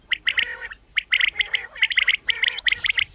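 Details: Female common quail (batair) calling: short, bright, nasal notes with a ringing overtone, given in quick uneven clusters of two to four, about seventy a minute, over a faint low hum.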